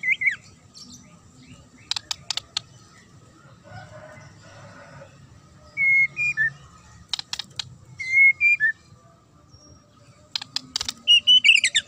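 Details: Shrill, clear fighting song of a white-rumped shama: short whistled phrases that bend and drop, separated by sharp clicking bursts and quiet gaps, with a faint low hum underneath.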